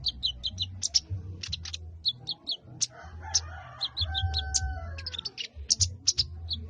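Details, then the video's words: Chattering ngriwik song of a sogon, the Sooty-headed bulbul: rapid clusters of thin, high chirps repeated through the passage, with a brief drawn-out tonal note midway and a constant low droning hum underneath. "Burung SOGON poloss ngriwikk"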